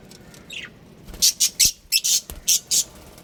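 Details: Budgerigars in a pet colony give a run of about seven loud, harsh, high chirps in quick succession, each a short buzzy burst, after a faint rising squeak at the start.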